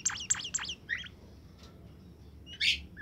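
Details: Caged bird, recently bought and fed caterpillars and crickets, calling in full voice: three quick high chirps at the start, then a short twittering note and a later burst of scratchy chatter over a steady background hiss.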